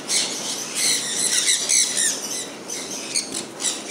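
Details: Sun conures, pet birds enjoying falling rain, giving harsh, high squawking calls in bursts, several overlapping, with steady rain patter throughout.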